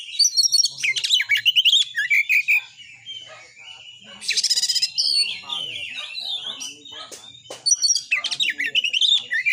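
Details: Kacer, the white-rumped shama, in aggressive full song to provoke shamas to sing and fight: rapid varied whistles and chatter, a harsh buzzy burst, sharp clicks and further quick phrases.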